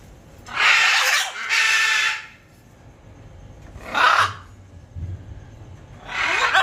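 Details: A pair of scarlet macaws give loud, harsh, broadband squawks: two long raucous screeches, a shorter one, then another, with quiet gaps and faint low rumble between.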